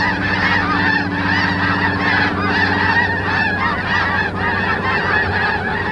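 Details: Snow geese massed on a coastal marsh at Richmond, BC, Canada, in mid-March 2019, keep up a constant clamour of many high, barking honks layered together, with a low droning background hum.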